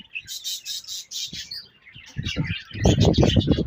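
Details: Budgerigar colony chirping: bright, rapid high chirps and twitters in the first half, then quieter chirping over repeated low thumping and rustling.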